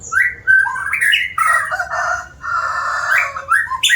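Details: White-rumped shama, an eager singer, in loud continuous song: swooping whistles mixed with rich harsh chattering phrases, almost without pause.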